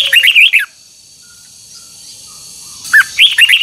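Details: Red-whiskered bulbul in song training, heard as two short bursts of bright slurred whistles, one at the start and one at the end, with a long quiet gap between them.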